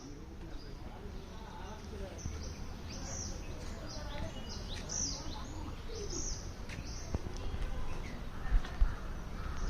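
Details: Wild birds chirping in the morning: scattered high, thin chirps and short sweeping notes from several birds over a steady low rumble of background noise, with a couple of louder knocks near the end.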